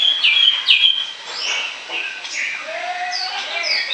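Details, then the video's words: Orange-headed thrush singing ngoceh chatter for use as a lure: bright high whistled notes and slurred phrases delivered fast, with a softer lower whistle near the end and steady background hiss. "ANIS KEMBANG NGOCEH NGEPLOOONG"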